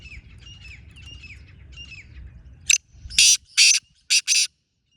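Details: Black francolin, a wild bird answering a caged francolin, gives a loud rasping call of five hoarse bursts in quick succession, preceded by faint high chirping of small birds.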